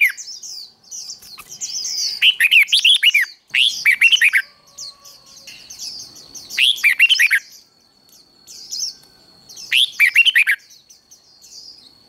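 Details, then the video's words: Red-whiskered bulbul contest-style song for training birds to sing in competitions: four loud, rapid warbled phrases spaced about two to three seconds apart, with softer high twittering and a thin steady tone in the background. "Chào mào hót đấu"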